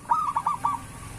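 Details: Single short phrase of a local zebra dove's song, meant to prompt other doves to sing: a quick rolling coo breaking into three or four rounded, purring notes within a second, over faint background hum.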